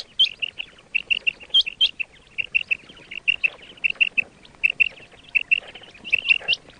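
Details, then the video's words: Fresh quail calls for hunting: a steady series of short, high chirps in pairs and triplets, about two per second. Occasional louder upswept notes stand out. "quail 2024 Fresh sound Batair Ki awaz"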